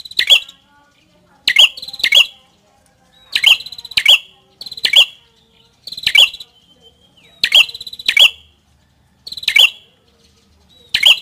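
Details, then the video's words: Prenjak kepala merah (prinia) repeats high, clipped phrases: short buzzy stutters followed by bright sharp chirps, sometimes paired closely, spaced irregularly over about eleven seconds with a faint thin whistle in between. "Suara Burung | Prenjak Kepala Merah"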